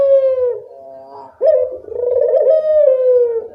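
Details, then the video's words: Barbary dove kept as a vocal bird, used to encourage lazy doves to sing: a fading steady coo, a brief pause, then a sharp onset and a long rolling, slightly wavering coo. "Masteran burung puter gacor, mengatasi burung puter malas bunyi"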